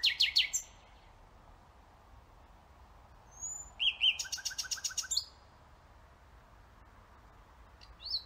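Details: Singing Nightingale delivering separate bursts: a short rattle, a pause, then a pure whistle leading into a dense, fast-repeated trill of stuttering notes, followed by silence and a brief final note.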